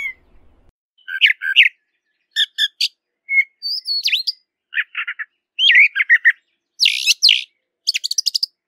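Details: Wild brown thrasher in song, delivering separate varied phrases of chirps, slurred whistles and harsh buzzy notes, several doubled, spaced by short silences; a quiet low rumble briefly at the start, otherwise clear.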